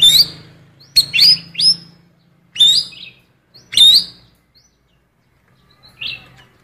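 An Asian fairy-bluebird gives short, bright chirping phrases in bursts every second or so, imitating female magpie-robin calls, over a faint low hum.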